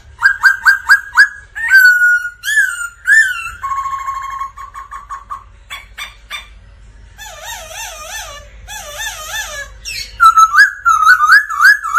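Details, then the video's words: Black laughingthrush in full voice-training song: rapid repeated whistled notes, rich warbling phrases, a harsh buzzy section and wavering looped whistles, delivered loudly and continuously. "Chim khướu Mun hót múa kích bổi cực căng"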